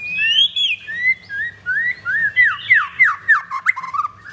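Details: White-rumped shama of the Blorok type, leg-ringed, at a bird kiosk in Jakarta, singing rich whistled notes, first long rising slides, then a quickening sequence of downslurred whistles about three per second; low hum behind.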